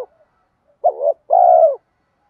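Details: Single spotted dove phrase used as a lure: a brief wavering double note and then a long, even, low coo sliding slightly downward, set against silence.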